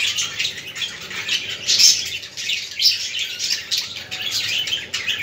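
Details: Budgerigar flock sounds for budgie stimulation: constant high chirping and warbling in quick pulses, with a few sharper squeaks standing out in the middle.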